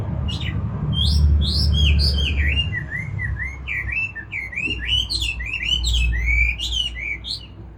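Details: Chinese hwamei singing clear, loud looping whistles that rise and fall in quick succession, with a few sharp high notes mixed in, over a low rumbling background.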